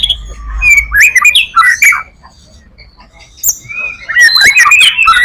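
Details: Song of a white-rumped shama, the full-repertoire kind used to draw in other shamas: clear whistles and varied slurred phrases, a brief quiet gap, then a dense burst of twittering notes.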